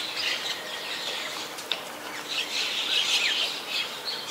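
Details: White-vented myna at Ubon Ratchathani, Thailand, on 21 October 2021, giving a continuous high scratchy chatter of rapid squeaky notes that grows busier and louder midway through.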